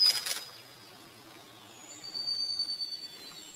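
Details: A rufous-faced warbler (Abroscopus albogularis) calls at Xitou, Taiwan, on 18 May 2018 with very high, thin, drawn-out whistled notes with slight tremolo over a quiet background. A brief scratchy rustle opens the recording.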